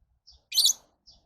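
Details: Lovebird giving a single shrill, harsh chirp lasting about a quarter second, with faint softer peeps just before and after in an otherwise quiet setting.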